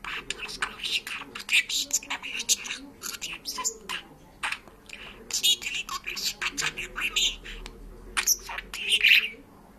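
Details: Georgian-speaking parrot delivers a steady stream of high, word-like syllables, with a couple of whistled squeaks toward the end.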